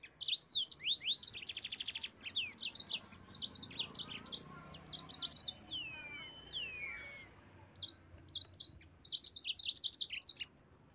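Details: Yellow-fronted canary singing gacor to goad rivals into song: dense, fast chattering phrases of high sweeping notes and a short buzzy trill, broken by a gap where a thin gliding whistle drops, then resumed bursts.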